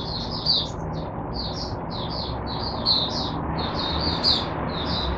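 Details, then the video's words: Oriental white-eye acting as a teacher bird for other white-eyes, 22 January 2022: continuous high chirping warble over steady broadband background noise. "Mata Puteh Diva Sunday buka sing teacher bird for my other mata putehs"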